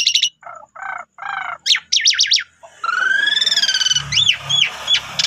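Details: Asian pied starling (jalak suren) lure song: low buzzy grating notes, then sharp wavering chatter, followed by a long rising vibrating whistle and arched slurred calls over a low hum.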